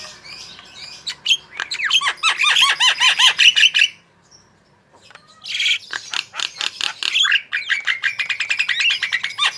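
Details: Javan myna singing hard in a tutor recording for prompting other birds: a long dense stream of falling, buzzy chirps, a near-silent second, then another rapid volley of sharp repeated notes.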